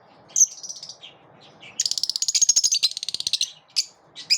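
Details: Lovebirds in a group, pushing each other away: a high squeal, then a fast run of about twenty rapid pulsed chattering notes lasting nearly two seconds, followed by a few short sharp calls.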